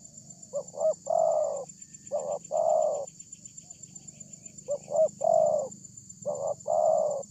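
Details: Spotted dove lure recording with a big voice, used to make other doves answer: three phrases, each with quick paired coos and a long, drawn-out, mellow coo. A constant thin high whine runs underneath.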